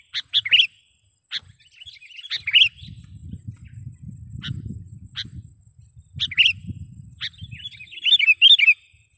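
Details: Sooty-headed bulbul used as a trapping lure, giving sharp clipped chips and short warbled phrases at irregular intervals, with a low rumbling background noise through much of the recording.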